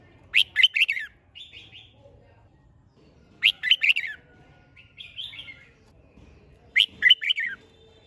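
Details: Competition-style (hót đấu) song of a red-whiskered bulbul: three bright, slurred bursts of four or five notes roughly every three seconds, separated by quieter buzzy notes.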